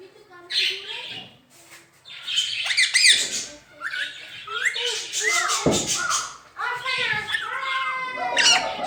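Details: Pet rose-ringed parakeet talking, mimicking the phrase "Mian Mitthu Chori Khani Ha": high, harmonic speech-like syllables in uneven bursts, with gliding whistled notes and short squawks between phrases.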